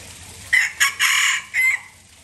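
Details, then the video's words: Aceh junglefowl used as a lure to attract wild birds: a short harsh crow in four bursts, a sharp first note, a brief second, a longer broken middle phrase and a trailing final note, over quiet background. "Ayam Hutan Aceh # Pikat Top"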